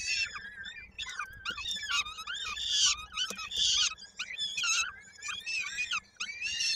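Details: Nest of peregrine falcons, Koszalin, Poland, 16 May 2022, feeding with a chick's foot caught in a beak: steady stream of shrill wavering wails and squeals, roughly one call per second, some louder screeches.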